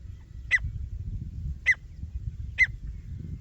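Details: Grey francolin (teetar), described as a male and female fighting, giving an attraction sound: three short, sharp, high notes spaced about a second apart over a low background rumble.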